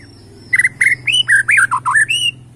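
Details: White-rumped shama from Borneo in bowing 'sujud' posture, singing competitively: a quick string of about eight loud, slurred whistled notes jumping up and down in pitch within two seconds.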